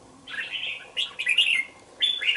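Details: Caged two-month-old red-whiskered bulbul in a bổi cage delivers loud, continuous warbling phrases with slurred, bright notes, pausing only briefly between them.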